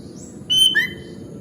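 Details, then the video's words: Sooty-headed bulbul (kutilang) singing lively: a short clear whistled note followed by a lower, slightly rising whistle, under half a second in all, over a soft low background hum. "Suara Burung Kutilang Gacor"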